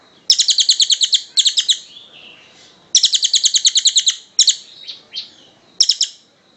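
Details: Kingfisher call used for training other birds: bursts of fast, high, rattling notes about one second long, separated by short gaps with softer slurred notes.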